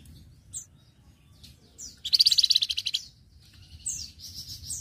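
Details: Master recording of a vigorous flamboyan for training other birds: scattered high whistles lead into a loud, fast, slightly slowing trill of about a dozen notes, then sweeping whistled phrases.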